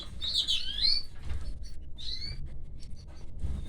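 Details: Two bursts of shrill, sweeping chirps from canary chicks as the female canary feeds them, the first longer and more intense, followed by quieter rustling and a low background hum.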